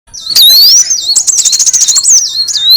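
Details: Sunbird lure sound for attracting birds: loud high whistled notes sliding up and down, then a fast stuttering buzzy trill, ending in a rising whistle.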